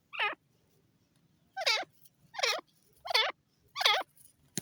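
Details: A series of five loud, rasping grey francolin notes, each with a wavering, downward-bending harmonic pattern, repeated roughly every 0.7 seconds over faint low background rumble.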